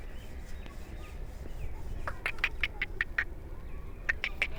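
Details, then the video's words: Black francolin (Kala Teetar) from Sindh, Pakistan, giving a rapid series of short, scratchy, evenly spaced notes, then a second shorter burst of four notes after a brief pause, over steady low rumbling background noise. "Kala Teeter"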